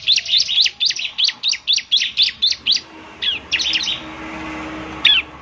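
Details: Bar-winged prinia lure song from a semi-active singer: about a dozen bright, high chirps in quick even succession over three seconds, then a broken cluster of notes and one last isolated chirp.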